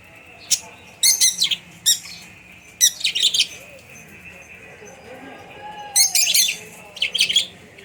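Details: Pet budgies conversing with a lovebird chirp in quick bursts of sharp, scratchy, high notes, clustered in several bouts over a faint steady background hum.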